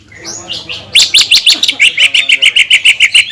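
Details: Provocation song of a greater green leafbird, meant to make other leafbirds angry and sing: faint opening slurs, then about fifteen sharp, evenly spaced chirps repeated quickly, high and bright.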